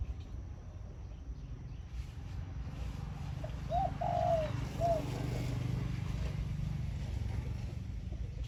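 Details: Decoy zebra dove singing khan yon style early in the morning: a single phrase of a short note, a looping trill, a warbling coo and a falling final note, over strong low rumble and hiss.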